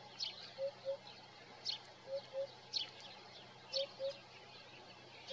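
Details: A Eurasian hoopoe's morning call: soft, low, hollow double hoots, 'oop-oop', about every one and a half seconds, with other small birds chipping high and thin in the background.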